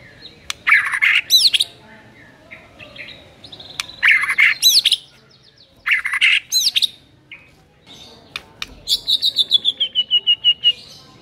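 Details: White-rumped shama (murai batu) in a provocation recording meant to rouse a lazy bird into singing. Fiery, tightly fired phrases: loud sweeping whistles and buzzy bursts around one, four and six seconds, then a rapid descending trill of evenly spaced notes.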